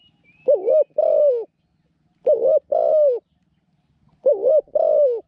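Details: Decoy spotted dove in a trapping pen, described as small-voiced and a keen cooer: three evenly spaced phrases, each a quick dipping note followed by a longer level coo, about two seconds apart, with nothing else heard.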